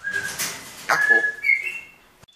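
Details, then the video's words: Pet talking parrots in their morning conversation: clear level whistles, the second note higher, with breathy speech-like sounds between them and a faint click at the end. "die sprechenden Papageien"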